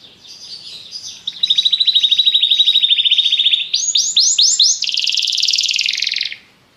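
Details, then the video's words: Singing Belgian canary: soft buzzy opening, then a rapid steady rolling trill, four bright upswept notes and a dense, loud high buzzing trill that fades out at the end. "a canção do canário belga"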